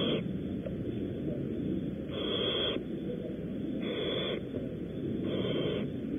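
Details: Barn owls at a nest at Audubon Starr Ranch, California, during prey deliveries: three rough, noisy hissing bursts, each about half a second, spaced one to two seconds apart against constant low hiss.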